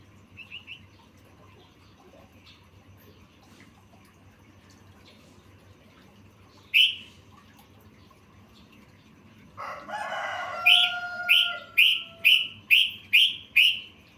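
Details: Sooty-headed bulbul song with fill phrases, recorded as a bird-song training piece: a few faint notes, then a burst of noise with a held tone, followed by six loud, sharp, clipped notes repeated about every half second.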